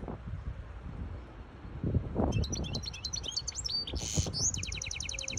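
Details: A hybrid goldfinch sings to teach its chicks and arouse a female goldfinch, which adopted a mating posture. After two quiet seconds, bright chattering twitters start, with a buzzy burst and a fast, even trill at the end, above low background noise.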